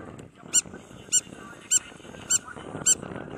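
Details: Spur-winged lapwing (Vanellus spinosus) on a beach at Marsa Alam, Egypt, giving loud, sharp, metallic notes about one every half second, over a soft low rumble of surf or wind.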